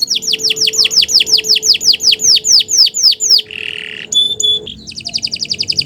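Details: Canary morning song for training other birds: a long run of down-slurred whistled notes about three per second, a buzzy rasp, high piping notes, then a fast trill.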